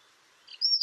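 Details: Pied wagtail (Motacilla alba yarrellii) in riverside promenade gardens of the Tállara river, Noia: a brief, high, sharp chirp with one quick two-part note near the end, over faint background hiss.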